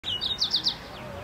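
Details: Streaky seedeater (Crithagra striolata graueri) in Musanze, Rwanda, March 2013, giving a quick run of five bright, high chirps within under a second, the last few slightly stronger, then trailing off into faint notes.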